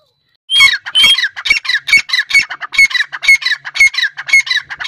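A female grey francolin gives a fast run of harsh, squeaky notes, about two each second, steady and insistent. No other sounds stand out.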